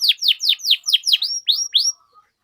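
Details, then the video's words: Canary singing as a training lure for young canaries, a brief series of eight clear descending whistled chirps, evenly spaced, the last ones rising then falling. "PANCINGAN Kenari GACOR PANJANG Cuit CUIT Ini Ampuh Untuk MASTERAN PAUD Kenari Belajar BUNYI"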